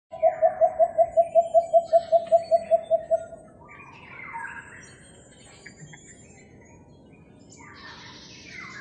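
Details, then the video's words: Philippine coucals heard in a neighbourhood on May 3, 2022 give a rapid, even series of about fourteen deep hooting notes over three seconds, followed by faint chirps from other birds. "The Call of Philippine Coucals"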